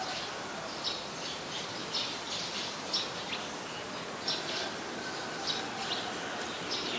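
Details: Adult common tailorbird, a common resident bird, recorded in Ubon Ratchathani, Thailand, on 8 February 2021. It gives short, sharp, high notes about once per second, sometimes paired, over a steady hiss of background noise.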